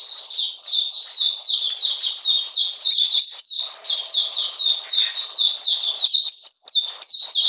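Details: Oriental magpie-robin song on a rainy, cold 13 June 2020, during deworming: steady rapid sequence of high, clear chirps dropping in pitch, a few brief gaps between runs.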